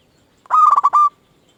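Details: Single loud phrase from a local zebra dove used to lure other doves: a rapid rolling trill of about six pulses ending in a sustained coo, under a second long, in silence.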